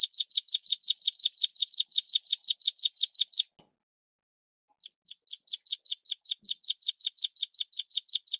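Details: Plain prinia (Prinia inornata flavirostris, Taiwan) calls with a rapid train of high, rasping notes, stops for about a second, then starts the same evenly repeated buzzy series again. The background is otherwise silent.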